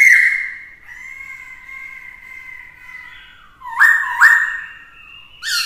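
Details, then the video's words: Black-throated laughingthrush singing in varied voices to stir rivalry, with a female that excites the male: a long steady held whistle, then two loud quick upslurred whistled notes and a final rising note. "Khướu mộc hót kích đấu - Khướu bạc má hót nhiều giọng hay - kèm khướu mái kích trống căng lửa"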